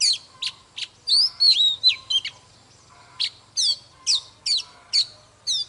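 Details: Old wild-caught Oriental magpie-robin, singing while displaying in a fired-up state. Bright whistled and buzzy notes arrive in short separated bursts, some rising sweeps, with gaps between phrases and a faint low hum underneath.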